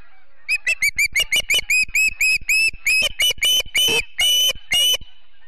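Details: Osprey family at their Charlo, Montana nest on a morning of 7 September 2016 gives a quick run of some eighteen whistled chirps that grow louder, broader and harsher toward the end.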